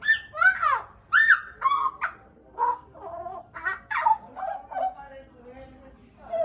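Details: Pet pied butcherbird from Papua, Indonesia, kept about two years, singing loudly indoors: a run of rich, bending whistled phrases with strong overtones, rising and falling notes in separate bursts, some harsher fragments toward the end.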